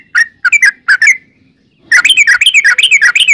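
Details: Sooty-headed bulbul in gacor form, a lure to get bulbuls singing back: several clipped chirps and a pause, then a quick burst of rolling, bubbly notes.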